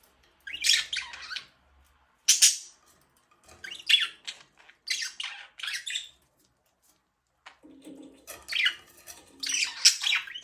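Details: Pet budgie in a small room giving repeated bursts of harsh, scratchy squawking chatter, roughly every one to two seconds, with a longer rapid warbling run near the end.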